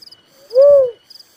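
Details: Close, loud single coo of a little cuckoo-dove: a smooth, swelling and fading hollow note, with faint high insect trills before and after.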